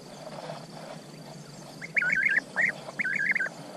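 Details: Rolling, liquid trilled calls of a European bee-eater come in two quick bursts of several notes each, separated by a brief gap, against a murmuring low background noise.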